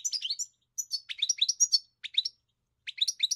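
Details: European goldfinch singing: bursts of rapid high twittering notes in short phrases separated by brief pauses, with liquid trills and quick chirps; no other sounds.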